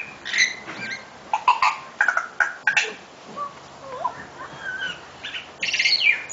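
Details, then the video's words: A tui sings a crazy complicated, jumbled, fast-changing song of sharp clicks, knocks, clear bell-like notes and short wheezy whistles, with brief gaps between bursts. "Tui Bird Singing...Crazy Complicated Song!!!!"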